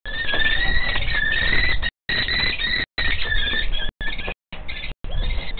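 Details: The youngest common kestrel chick, alone in a loggia on 24 June 2023 near midday, begs prey from its father: a continuous thin, wavering squeal, steady in pitch, with a few short dropouts over low rumble.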